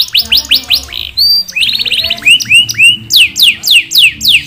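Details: Caged domestic canary singing energetically, a 'gacor' bird with long rolls and distinctive bursts: rapid series of bright whistled notes dropping in pitch, repeated about three per second, then buzzy trills and rising sweeps, ending in loud falling whistles.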